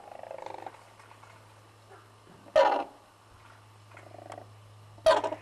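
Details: Red-crowned crane (Grus japonensis) at a conservation centre in Norfolk, UK: soft pulsed purring notes interrupted by two short loud harsh bursts, over a steady low electrical hum.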